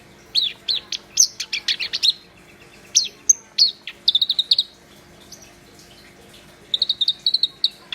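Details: Black-browed reed warbler singing in full voice, with bursts of sharp high chips and quick trilled notes, pausing between phrases and ending with a rapid series of repeated ticks.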